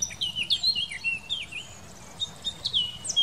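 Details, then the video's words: Eurasian blackcap singing in the Wittlich valley, Germany, 2018: rich, quick warbled phrases of high whistled and chirping notes, fluttering up and down, with short pauses between bursts. "Mönchsgrasmücke singt"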